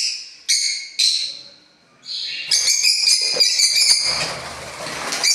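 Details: Pet parrots kept as a family in a house: a few separate harsh nasal squawks, a pause, then a longer stretch of overlapping chattering, screechy calls with a rough noisy background.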